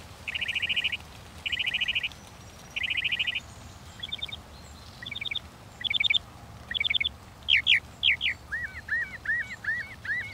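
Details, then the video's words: Northern mockingbird song built from repeated phrases: three dense buzzy trills, then clipped chattering notes given in a series, followed by a run of short hooked whistles, each motif repeated before switching. "The song of the Northern Mockingbird"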